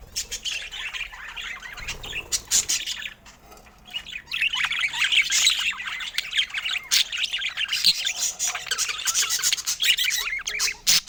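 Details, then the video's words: Budgerigars at feeding time chatter loudly, sharp squawks and rapid twittering chirps layered densely, after a short quieter spell near the start. "Budgie Nutrition Basics with Sweet Sounds and Feeding Joy"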